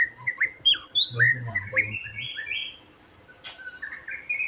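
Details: White-rumped shama song played to trigger singing: varied whistled notes and slurs, some sharp upward sweeps, with low thumping noise early on and softer phrases later.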